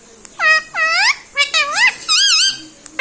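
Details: Talking pet parrot indoors, said to speak mummy, papa, mithu and radhe radhe; five quick harmonic speech-like syllables, swooping and wavering in pitch, in close succession.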